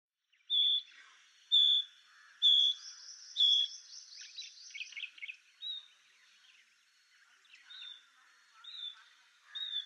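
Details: Painted bush quail. Soft whistles carry as members of a scattered covey regroup: four loud, clear high whistles about a second apart, then a buzzy rattling passage and fainter, answering whistles.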